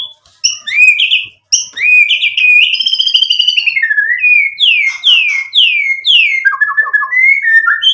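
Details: Full isian song of a white-rumped shama meant to make another bird respond: loud whistled swoops, a rapid warbling trill, then a string of falling slurred notes and short chattering phrases.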